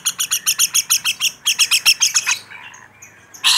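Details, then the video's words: A rainbow lorikeet gives a fast run of shrill, grating screeches, about ten a second, then a short pause and a second harsh burst. "Suara Burung Nuri Pelangi Gacor"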